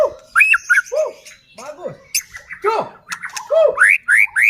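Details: White-rumped shama, a caged songbird played to make other shamas sing, giving mellow rising and falling whistles and arched notes in a choppy, varied sequence.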